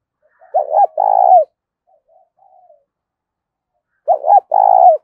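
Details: Decoy spotted dove, kept to lure wild doves, cooing to provoke them in the thổ voice style: two coo phrases about three and a half seconds apart. Each is a pair of short, bent notes followed by a longer, rougher, level coo. Faint soft notes sit between them.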